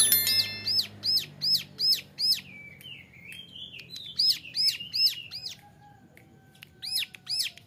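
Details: Young male Bar-winged Prinia (ciblek gunung), a training model for other birds, sings a run of loud arched whistled notes about two per second, broken midway by a lower wavering warble before the arched notes resume.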